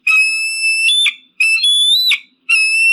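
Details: Eagle screams for deterring pigeons and crows: three long, piercing, steady whistled notes, each ending in an abrupt upward break into a harsher squeal, separated by short gaps, clean and loud.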